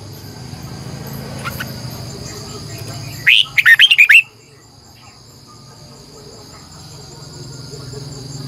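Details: Red-whiskered bulbul, a decoy bird, singing in the morning: one short burst of about six quick, clear warbled notes after a stretch of quiet, over a steady low hum and a faint high whine.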